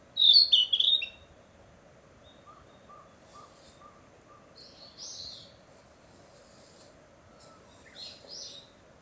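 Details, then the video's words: Breeding-season territorial song of a Narcissus flycatcher in spring forest: one short, loud burst of bright whistled notes at the start, then only faint distant chirps and a soft series of low repeated notes. "キビタキ!七色のさえずり[Narcissus Flycatcher]"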